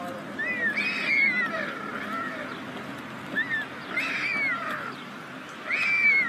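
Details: At a White stork nest on a chimney in Ságvár, Hungary, day 36 of the 2024 season, wheezy, cat-like mewing calls rise and fall in three bouts roughly every two to three seconds.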